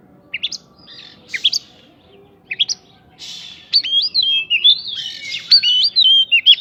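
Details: White-rumped shama song with prinjak fill meant to spur other birds; scattered short high chips and a rasp at first, then a continuous run of wavering whistled phrases in the second half.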